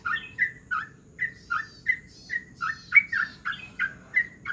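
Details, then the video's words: A yellow-vented bulbul sings a relaxed, lively rolling song in the morning, bubbly and gurgling at about two to three notes per second, over a low steady hum, meant as a lure for other bulbuls. "trucukan gacor ngerol || jogjog gacor di pagi hari"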